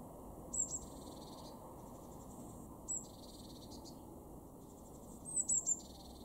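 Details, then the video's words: Eurasian blue tit in a garden in Weener, East Frisia, far northwestern Germany, February 2023: thin, very high call notes, single at first then a quick cluster of three, over a steady low rumble. "blue tit"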